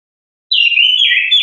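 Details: Orange-headed thrush in ngeplong style, natural song offered as a lure for kept birds: half a second of silence, then one loud slurred whistled phrase dipping slightly and rising again, with a faint thin higher overtone, nothing else heard.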